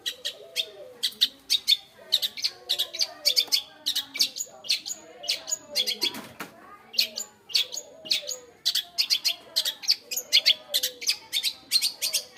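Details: Long-tailed shrike kept at home, singing a fast stream of sharp chirps and varied notes, many short calls per second with brief gaps, plus faint lower murmuring sounds in the background.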